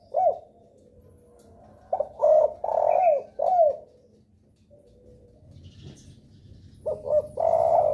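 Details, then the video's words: Spotted dove (derkuku) lure call meant to make other doves answer and start calling: low, mellow coos in grouped phrases of two or three notes, separated by short pauses, with faint low rumble beneath. "suara pancingan DERKUKU paling di sukai derkuku lain..sekali dengar langsung respon gacor"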